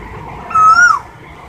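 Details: Asian koel giving one short whistled note, fairly level then lifting slightly and dropping away at the end, over a quiet low background hum.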